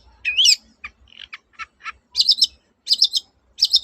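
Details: Long-tailed shrike 'toet-toet' song to prompt silent shrikes to sing again: it opens with a rising, scratchy whistle and several lower clipped notes, then three high, buzzy trilled phrases about three-quarters of a second apart.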